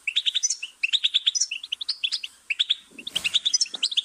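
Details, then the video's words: A goldfinch sings a fast, bright twitter of high tinkling and buzzy notes in quick run-on phrases, with a brief soft thump partway through. "Goldfinch's Singing"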